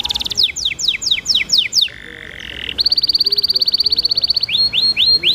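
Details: Singing canary with sweet, varied phrases, accompanied by running water as a lure for other canaries: repeated falling whistled sweeps, a low buzzy pause, then a long rapid even trill and upward slurred notes.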